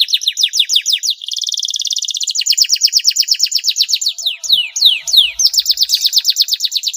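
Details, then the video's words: Canary in full, long song played to prompt reluctant canaries to sing; rapid repeated downslurred notes, a dense rolling trill between one and two seconds, then spaced sweeping whistles and renewed fast trills, continuous and bright. "kenari gacor panjang mewah buat pancingan kenari males bunyi"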